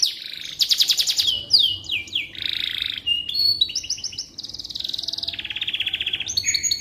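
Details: Canary song recorded for training magpie robins: rattling trills, cascading downward whistles, a buzzy sustained tour and a long even trill, flowing together without breaks.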